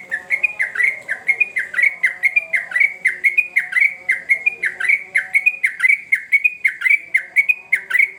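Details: Lure recording of a sooty-headed bulbul singing vigorously for young birds; steady, fast series of clear whistled notes that slide down and snap back up, unbroken for eight seconds over a soft low drone.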